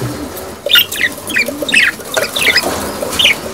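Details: Budgerigars giving mating calls meant to stimulate breeding: a run of short, sharp chirps and squeaky notes about every half second, with faint lower warbling in the background.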